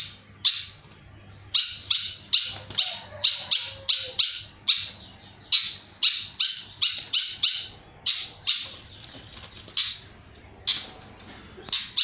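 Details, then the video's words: Flycatcher singing very actively: bursts of short, sharp, high chipping notes, each dropping quickly in pitch, delivered in fast runs of three to six with brief pauses between runs, over a faint low hum. "Burung sikatan sangat gacor"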